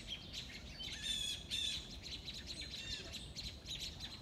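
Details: Blue jays mobbing a red-shouldered hawk in eastern North America on 06/02/2022: several birds give harsh, raspy jeers together in quick overlapping bursts against faint background hiss.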